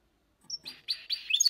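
A goldfinch-canary mule sings a quick run of bright, twittering trills and chirps.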